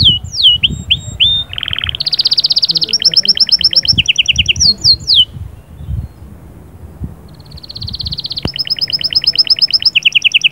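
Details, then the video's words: Canary singing to stimulate a hen: downslurred whistled notes give way to a low buzzy burst, then fast pulsed trills and rattling tours, a pause, and another long rolling trill; faint low background rumble. "صهصهات وبتبتات طائر كناري غول و تغريد"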